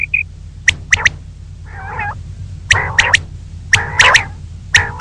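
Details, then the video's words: Female common quail calling in the morning: a brief high whistled pair opens, then harsh, nasal bursts with paired sharp clicks recur roughly every second above low background hum. "Female Batair Ki Awaz| Common Quail Calling Batair Ki Awaz|Suba ki liye Batair awaz"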